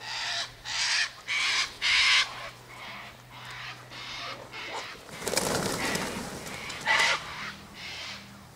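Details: Sulphur-crested cockatoos (Cacatua galerita) in a flock by an eastern gate, feeding on tossed-out sunflower seeds, wheat and birdseed mix; four loud harsh screeches in quick succession, then softer raspy calls, a broad rushing flutter midway, and another sharp screech near the end.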